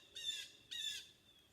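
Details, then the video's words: Excited blue jays on a Monday, 9 November 2020, at a site reshaped by a 2008 tornado, give two harsh, raspy jeer calls about half a second apart, loud, with a faint background hiss, as neighbours' dogs wake. "you can hear the blue jays are going nuts and now the neighbors dogs are waking up so that's my signal to get out of here anyway"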